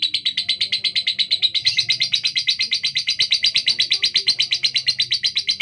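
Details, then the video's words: Female lovebird of the fighter type, kept as a pet and noted for a rough, fast voice, delivers a steady, rapid string of harsh, high chirps, about six per second, without a break for the whole stretch. "Lovebird betina fighter suara kasar speed"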